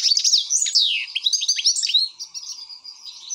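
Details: Excited European goldfinch giving quick tinkling, slurred twitters and chirps in a continuous tumbling phrase, fading slightly toward the end.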